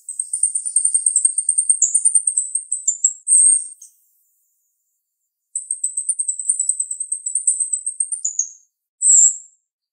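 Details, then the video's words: Two long, shrill, rapid chattering trills from a sharp-voiced female jalak rio-rio starling, separated by silence; each closes with a dropping note and a loud separate bright call. "Jalak RIo Rio Betina suara tajam"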